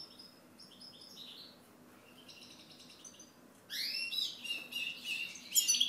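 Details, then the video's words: Faint, distant twittering of a European goldfinch at first, then louder sweeping chirps and a tinkling burst of song toward the end over a soft background hiss. "Chant Chardonneret"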